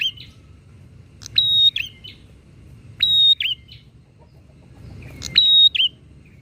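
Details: Bar-winged prinia in full, persistent song, meant to agitate other prinias: three evenly spaced phrases, each a sharp click, a level high whistle and a looping dip, with a soft low hum beneath.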